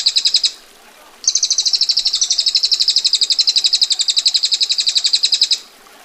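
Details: Female bar-winged prinia giving its dense 'ngetir' rolling trill: a short burst, a pause, then a long, rapid, buzzy run of high notes, about eight per second, slightly stepping in pitch.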